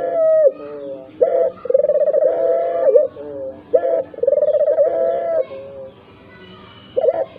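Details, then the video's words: Lure calls of a dove meant to make doves, even silent ones, join in: short sharp note, then extended throbbing coo and a lower trailing note, repeated three times with a pause before a fourth start. "tekukur puter gacor pikatan burung walau bisu sekalipun"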